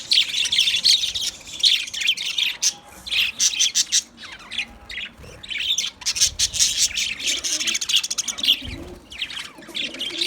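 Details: Several white budgies keep up a busy, continuous warbling chatter of rapid buzzy chirps and squeaky notes, rising and falling in bursts over ten seconds.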